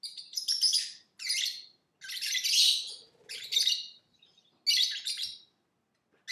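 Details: Lovebird chattering with long harsh raspy chirp bursts, some drawn out nearly a second, in close succession with short pauses, loud and high-pitched.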